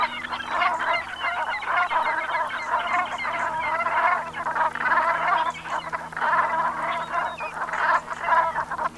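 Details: Brent geese gathered in the Gulf of Morbihan, Brittany, France, at sunset on 7 November 2021, in autumn; a sustained chorus of throaty, gargling calls rising and falling in loudness over nine seconds.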